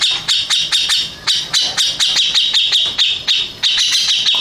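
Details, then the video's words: Grey-cheeked bulbul that won first place pours out bright, high repeated phrases in short rhythmic bursts about three to four per second, accompanied by sharp ticking clicks. "Kicau Burung Cucak Jenggot Juara 1"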